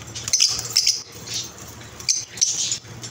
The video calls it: most beautiful voice of lovebirds|| relaxing voice of chirruping